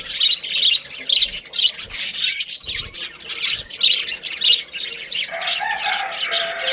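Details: A breeding pair of budgerigars keeps up a scratchy squawking chatter in rhythmic bursts, harsh and high, with a softer lower warble creeping in toward the end.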